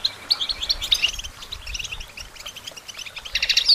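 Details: European goldfinch song aimed at songbird training: sharp, bright chirps and twittering runs, quieter in the middle, ending in a dense, loud burst of high notes.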